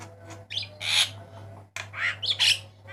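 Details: A Javan myna, white-eyed type, recorded as a training master for cage birds: two clusters of loud, harsh, buzzy squawks mixed with short whistles, separated by a brief pause, over low hum.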